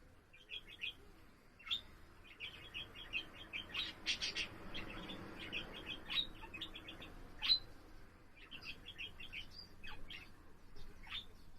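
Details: Pet budgerigar warbling indoors, recorded on Thursday, 7 April: rapid, scratchy chatter of short chirps and clicks, with several sharp higher squeaks mixed into a steady low background hum.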